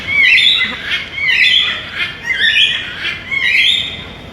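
A macaw gives loud, harsh squawks, several overlapping bursts about a second apart, raspy and high-pitched throughout.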